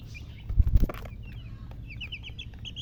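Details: Just-born chicken chicks: a few dull thumps and rustles at first, then a run of high, sharp peeps from several chicks, quick and slightly falling.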